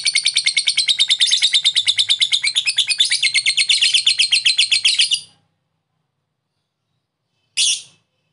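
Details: Lovebird in long 'ngekek' chattering, played as therapy to get lazy birds responding: a fast, unbroken stream of shrill, rattling notes for about five seconds, a pause, then one brief sharp burst.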